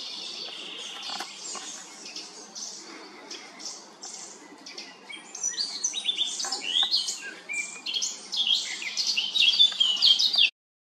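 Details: Eurasian blackcap recorded in Remscheid, Germany, on 10 June 2022, singing a medley of other birds' songs: scratchy twittering that builds into louder, faster warbled and whistled phrases toward the end, soft outdoor background hiss.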